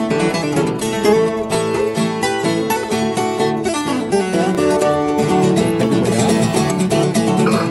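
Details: Loud plucked-string music with guitar-like strumming and a steady beat.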